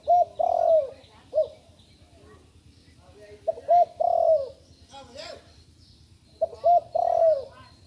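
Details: Young spotted dove practising its newly learned call: three cooing phrases of short notes climaxing in a long, falling coo, separated by pauses of a couple of seconds, with a faint rustle between.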